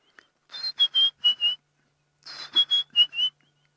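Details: White-browed scrub robin calling, the first bird heard in several days on a safari drive; two bursts of five clear whistled notes, each phrase about a second long, separated by a short pause, otherwise quiet.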